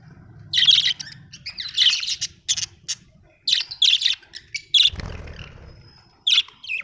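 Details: Budgerigar in a happy mood, chirping in a rapid series of sharp, scratchy notes broken by short pauses, with a faint low rumble underneath.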